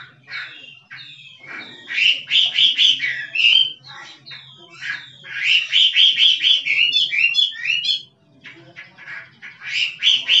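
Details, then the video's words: Chinese hwamei from the forest in full kích trống song, pouring out loud rapid bursts of rich whistles and trills in waves, with a brief pause near the end before a fresh burst. A faint low hum runs throughout. "Chim họa mi rừng kích trống hót cực đỉnh nghe đã tai"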